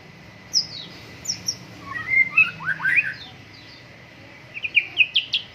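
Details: A white-rumped shama sings more sparsely during morning dew airing: isolated high notes, a short cluster of rising whistles midway, then a quick ascending run of chips.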